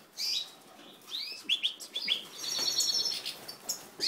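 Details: Captive-bred European goldfinch singing: bright rising chirps and twittering notes, then a high buzzy trilled phrase with scattered clicks between.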